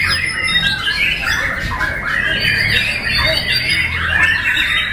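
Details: White-rumped shama singing on a contest pole, having changed from crouched courting to open-beak long song; dense rapid warbles, sharp chirps and downslurred whistles run continuously over steady low rumble.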